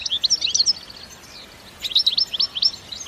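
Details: European goldfinch singing btebta in nature, without added effects: a fast twittering phrase of sharp, high notes, a short quiet gap, then a second tumbling burst of bright chirps.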